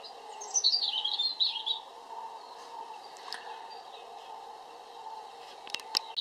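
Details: European robin singing one warbled high phrase of quick rising and falling twitters, lasting about a second and a half, then a pause with a steady low hum and a few faint clicks underneath.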